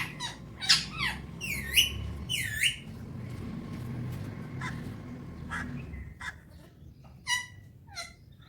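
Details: Pet Alexandrine parakeet enjoying the morning, said to talk in Urdu/Hindi: a run of loud, harmonic squawks and speech-like bursts in the first three seconds, then sparser chirps and squeaks over a low steady hum.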